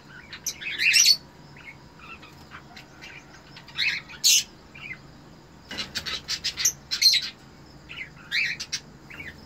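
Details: Cockatiel breeder pair kept indoors, calling during mating: scattered short chirps and harsh broadband squawks in irregular bursts, a dense cluster of clicks and chirps midway, and thin high notes in between.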